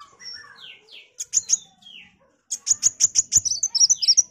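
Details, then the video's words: Kolibri wulung sunbird singing gacor, a tutor recording for magpie-robins: soft downward-sliding whistles, a pause, then a quick run of very high, sharp ticking notes ending in twisting, squeaky phrases. "MASTERAN KOWUL GACOR || KOLIBRI WULUNG, KOLIBRI WAYANG"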